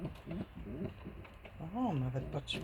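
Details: A caged female racing pigeon on a windowsill late in the evening, singing to another pigeon for company, gives a single low, throaty coo that swells up and falls away, after a woman speaking softly.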